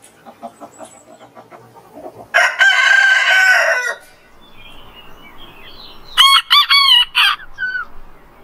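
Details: A rooster crows at dawn as sunrise nears. A strained, level crow lasts under two seconds, then a rapid burst of four or five sharp, stacked notes, with soft clucks and faint chirps around it.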